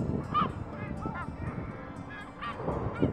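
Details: Lesser black-backed gull, with eye problems and some features suggesting Armenian gull, giving several short, nasal, yelping calls, irregularly spaced, over a low rumble of background noise.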